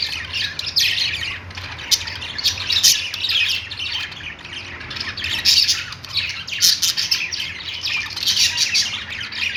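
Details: Budgerigars kept in a pet store fill the space with constant overlapping chirrups and rasping squawks, steady in loudness throughout.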